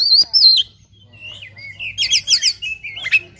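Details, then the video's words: Oriental magpie-robin in fighting mode, singing a song full of varied phrases: high whistled notes at the start, then sliding whistles and a dense burst of rapid, trilled, buzzy notes, with a low steady hum underneath. "KACER TARUNG NGOBRA FULL ISIAN"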